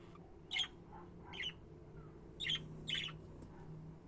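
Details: Budgies giving four harsh, raspy squawks in two pairs, with a couple of soft low notes between them over a steady hum.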